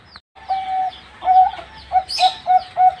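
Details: Four-month-old zebra dove giving a long, level coo, then a longer wavering note and three short, punchy coos. A thin high twitter rises briefly partway through.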